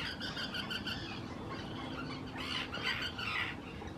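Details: Courting Common terns at Hula Nature Reserve, Israel, spring 2018, claiming preferred nesting sites; a colony of overlapping harsh calls, with a few louder rasping notes in the second half.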